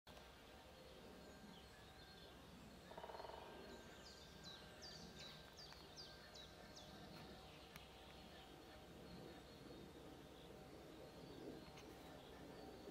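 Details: Great spotted woodpecker (Dendrocopos major) at Ribniki in the Draga valley on 21 March 2023 gives a short run of sharp, high 'kik' notes, about two per second, over a steady low outdoor hiss.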